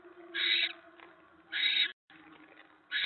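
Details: Barn owl nest at 7:50 PM in November 2017 as a mouse arrives: three grating, breathy screech bursts in three seconds, each about a third of a second, with a low hum and a brief dropout between them.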